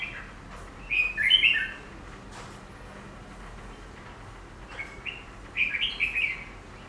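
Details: A captive black-throated laughingthrush (Garrulax chinensis), placed in front of a mirror, gives two bursts of rich, warbled whistling phrases about four seconds apart, with quiet background hiss between them.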